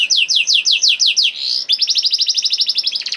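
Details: Canary singing the 'nembak' style, used as a lure to make reluctant canaries sing: a run of evenly spaced sweeping downward whistles, a brief buzzy note, then a very fast, dense high trill to the end.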